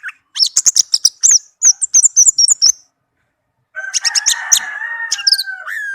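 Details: Melodious song from a tame pet orange-headed thrush: a fast run of sharp, high repeated chirps, a pause, then a lower sustained whistled note overlaid with scattered high notes.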